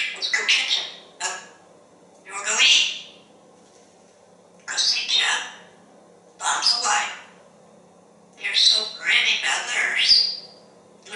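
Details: Talkative male African grey parrot, hatched 1997, kept in a home in Texas, chattering while looking out a window on a pretty day: bursts of speech-like phrases and whistly squeaks, separated by short pauses of one to two seconds.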